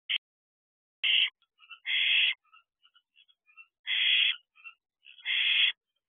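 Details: Barn owl owlets in a nest box at night, shortly after midnight, preening one another affectionately, giving loud harsh rasping hisses about a second long, interspersed with faint short chirps and soft twitters.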